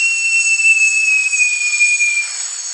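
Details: Great jacamar (Jacamerops aureus) singing a single long, piercing whistle that lasts most of two and a half seconds, sagging gradually in pitch, accompanied by a dense, steady insect hum.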